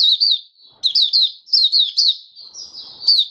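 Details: Singing caged oriental white-eye, five days after its monthly deworming. Fast, high, sweet warbles run in short chains, with one brief pause and a longer steady note near the end.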